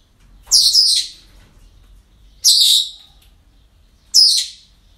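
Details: Parrots at a breeding centre on an ordinary day: three loud, harsh, high screeching calls, each about half a second long, spaced roughly every two seconds over a quiet background.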